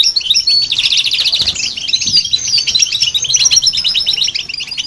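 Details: European goldfinch singing, played to stir up other birds, alongside a goldfinch-canary hybrid; dense, rapid twittering with liquid trills and buzzy notes, continuous and overlapping throughout.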